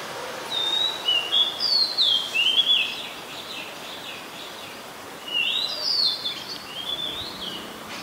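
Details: Oriental magpie-robin singing at Ubon Ratchathani, Thailand, on 2 July 2022, recorded on a Nikon P1000; two bursts of rich, sweet whistled phrases with slurred rising and falling notes, separated by a brief pause.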